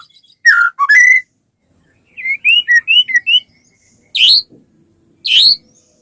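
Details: White-rumped shama song used to get other shamas singing: a couple of rich whistles, a short run of bouncing whistled notes, then two harsh, high buzzy notes.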